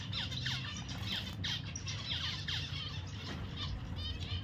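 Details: Pet zebra finch chattering: rapid clusters of sharp, falling chirps repeated every half second or so, layered over a constant deep background drone.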